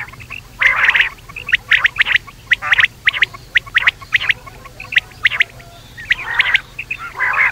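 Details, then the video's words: Night-time quail calls: raspy churring bursts followed by quick clicking notes, repeating steadily about twice a second. "batair rat wali awaz"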